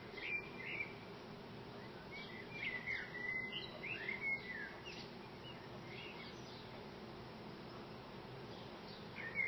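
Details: Common blackbird, a male singing from a high branch just outside a window, gives a run of mellow whistled phrases mixed with thin squeaky notes through the middle, and another phrase at the end, against constant low environmental noise.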